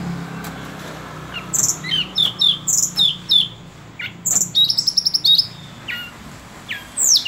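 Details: Sunda robin song of quick repeated slurred chirps, followed by a fast stuttering trill and scattered sharp notes, high-pitched throughout, with steady low background noise.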